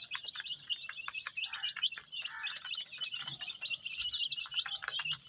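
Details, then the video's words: Colour-dyed chicks in shades of red, yellow, green, pink, purple, orange and white give a busy chorus of thin, high peeps, with a few lower murmuring sounds mixed in. "Cute baby chicks chirping sounds"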